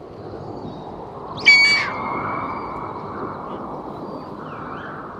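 A Bonelli's eagle gives one harsh, scratchy high call, trailing into a thin steady whistled tone, over a constant rushing background like wind.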